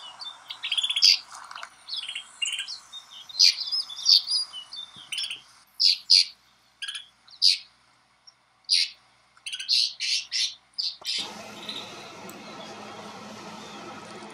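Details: Snow buntings in Kananaskis, Alberta, Canada calling in a busy chatter that thins to separate sharp chirps spaced about a second apart, followed by a quick run of notes and then steady background hiss.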